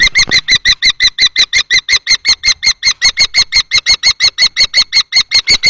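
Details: Fight between two male common kestrels, a juvenile and an adult, over a nest box in Théding, France, 20 March 2024: loud, evenly spaced piercing notes repeated about three times a second, close and echoing.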